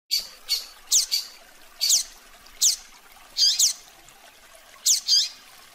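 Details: Rusty-collared seedeater (coleiro) giving a fast "tui tui zel zel" song used to train tournament birds: bright, high whistled notes, often in quick sweeping pairs, repeated in short bursts about every second, over faint background hiss.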